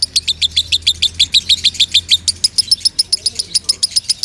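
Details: Lovebird singing loudly as a tutor for other birds, giving rapid high chirped notes about three per second, the pitch of the notes shifting slightly upward midway, with a low hum in the background.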